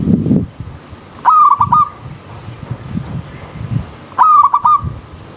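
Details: Zebra dove, known as perkutut, cooing twice about three seconds apart, each phrase a low humming note broken into quick pulses, between low rumbling background sounds.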